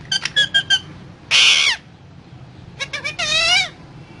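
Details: Parrot chirping four quick notes, then a loud raspy screech sliding downward; after a pause, more short chirps lead into a wavering, falling squeal.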